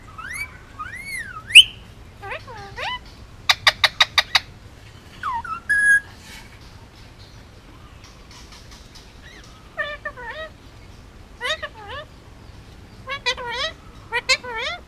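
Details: Hand-raised male Indian ringneck parakeet on Oahu, Hawaii, nearly two years old, mixes looping swooping whistles, a rapid burst of sharp clicks, and repeated wavering talk-like phrases in short bursts.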